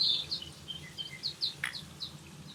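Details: Grey-capped greenfinch at 10:55 on 27 April 2024, eating sunflower seeds by squashing them whole; a quick run of thin, high twittering notes, some dipping lower, with one sharp click midway over faint low rumble.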